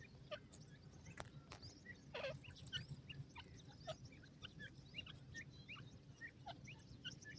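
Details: Francolin (teetar) chicks, possibly in Pakistan, give many short, high peeping chirps, scattered and overlapping at an uneven pace, over a steady low rumbling background.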